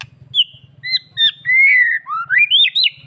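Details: White-rumped shama master song used to stimulate males into breeding condition and aggression. Bright, clear whistles: short upward notes, a long level whistle, then quick rising and falling loops. A low hum runs throughout.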